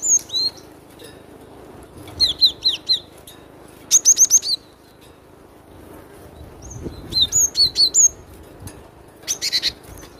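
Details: Cinereous tit singing loudly, with crisp high whistles dropping in pitch, delivered in short rapid runs separated by pauses of a second or two. A faint low hum lies underneath.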